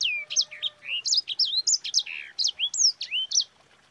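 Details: Vigorous sanger song meant to train other birds: a steady chain of crisp chirps and curving whistles, roughly four per second, ending abruptly after about three and a half seconds, with a faint low tone underneath.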